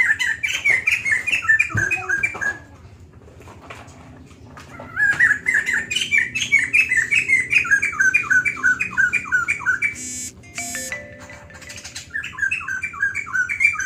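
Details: White-crested laughingthrush singing long and lively, a run of loud whistled notes rising and falling in quick succession, a pause of a few seconds, then another run; a brief harsh burst partway through.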